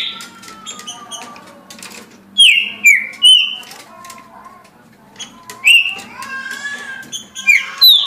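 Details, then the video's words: Caged green-winged saltator giving scattered loud downward-sliding whistles in short groups, mixed with fainter tonal sounds and a low background hum. "Trinca Ferro Senhor dos Anéis Passando 17 Cantos por Minuto"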